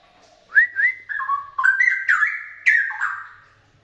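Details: Straw-headed bulbul heard from about 2 meters, pouring out a bright, gurgling chain of fluty whistles. Short phrases rise, dip and tumble together over roughly three seconds, then fade cleanly with little background noise.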